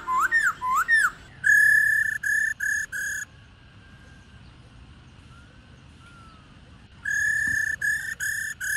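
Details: A mature wild female black-throated laughingthrush gives two quick rising whistles, then bursts of harsh, buzzy churring notes, pauses, and churrs again; the call is played to stir male laughingthrushes to sing.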